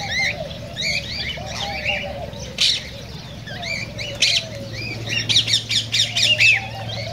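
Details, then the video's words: Cockatiel song meant to encourage breeding: clear upswept whistled chirps from several birds, a burst of wing flapping, then a run of sharp repeated chirps near the end, with a low hum throughout. "تغريد كوكتيل"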